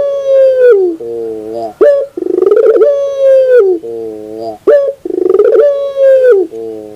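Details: Morning song of a puter dove in pelung style, repeated about every 2.8 seconds. Each phrase is a clipped high note, a pulsing then steady coo falling at the end, and a deep, soft trailing purr.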